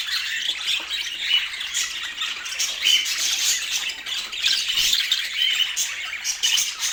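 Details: Pet budgies in Portland chattering nonstop, high squeaky chirps mixed with short pure whistles in a continuous twittering flow.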